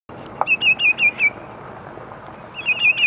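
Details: Sandpipers singing at sunset at Montezuma, New York, on 6 May 2019: a quick run of about eight clear, looping whistled notes, then a pause and a second run, over a soft, steady outdoor hiss.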